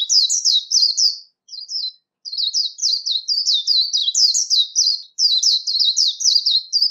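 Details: Warbling white-eye, recorded for daily song training, singing competition-style: rapid high-pitched slurred notes in long runs, broken only by two brief pauses, otherwise a steady bubbling twitter.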